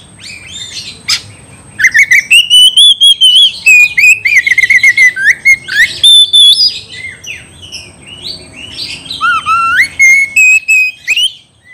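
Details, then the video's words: Oriental magpie-robin calling out a rival to fight: long rich whistled phrases, fast staccato note series and slurred swoops, loud and varied, over a faint constant high tone. "CUPLIKAN INI BIKIN KACER EMOSI MENCARI LAWAN TARUNG MEMANGGIL MUSUH UNTUK TARUNG ADU OTOT"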